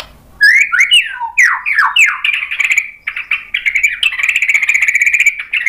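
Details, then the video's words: White-rumped shama song meant as a lure so other birds reply: sweeping whistled slurs and quick descending notes give way to a fast, dense chattering trill that runs on continuously toward the end. "MURAI BATU GACOR bongkar isian tajam cocok untuk PANCINGAN biar ikut NYAUT BUNYI"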